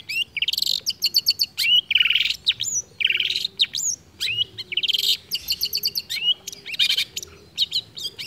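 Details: Long-tailed shrike singing without a break and copying other birds' calls: dense, fast chattering phrases of high buzzy and whistled notes, separated by short gaps.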